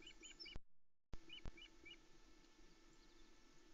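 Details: Osprey chicks alone on their nest at Loch Arkaig, 16 July 2020, squeaking with excitement as the male arrives with a large trout at dawn. Short paired high chirps repeat several times over a steady hum, broken by a brief dropout.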